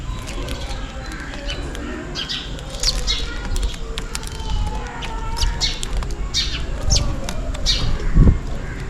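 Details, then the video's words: Sparrows on a rainy day calling for food: scattered high, clipped chirps that become more frequent in the second half, with steady low rumbling noise and a few soft thuds. "Sparrow Birds Chirping Sound is the MOST RELAXING Sound in Rainy Days || Sparrow birds call for food"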